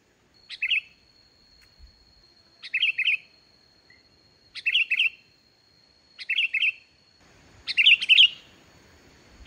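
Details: Sooty-headed bulbul in lively song without mimicked phrases, used as a lure for quiet bulbuls: short bubbly, liquid phrases about every two seconds, five in all, over a steady high whine, faint hiss at the end.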